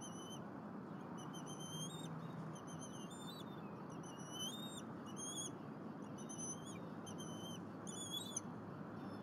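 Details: Eaglet of a bald eagle pair on its nest at Berry College, Rome, Georgia, April 2022, with the mother feeding it squirrel. Nest-camera audio. Short rising whistles in clusters with brief pauses, over a steady rumble.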